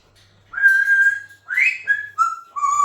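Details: Amazon parrot kept as a pet indoors, described as a little bit crazy, giving a long steady whistle followed by shorter rising and level whistled notes with bright harmonics, in a quiet room.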